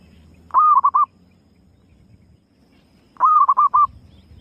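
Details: Lure call of a female zebra dove, two identical cooing phrases about two and a half seconds apart, each a drawn-out note then three quick clipped pulses, steady mid pitch, faint low background rumble.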